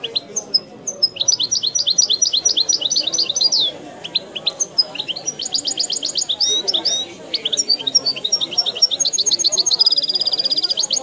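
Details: Oudani-style song of a European goldfinch: long, sustained high twittering with rapid chirp series, repeated trills and sweeping slurs, ending in a buzzy rattling trill, with a faint low hum behind.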